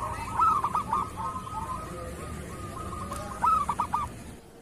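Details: Local zebra dove of the kerot song style, recorded as a master for training other doves to sing: two loud, bursting coo phrases about three seconds apart, linked by a soft, rolling, trilled cooing.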